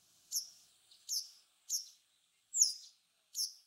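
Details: Japanese Wagtail, a bird of fields, grassland and waterside, giving five sharp, buzzy high chips about three-quarters of a second apart, the fourth loudest and slightly slurred, with a quiet, clean background.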